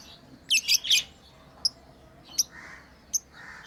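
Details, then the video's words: Playing lovebirds give a quick triple burst of shrill chirps, followed by three short single chirps spaced under a second apart, with soft rustling. "Lovebirds playing & Chirping sounds"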